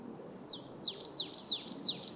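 A Marsh tit sings a fast run of about eight high, clear notes, each slurring downward, roughly six per second, over a faint low rumble.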